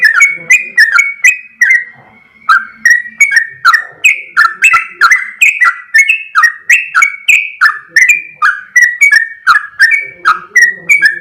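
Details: Long rapid 'ropel' song of a sooty-headed bulbul, sung vigorously: a continuous stream of slurred whistles with crisp attacks, three a second, briefly pausing near two seconds before running on without a break.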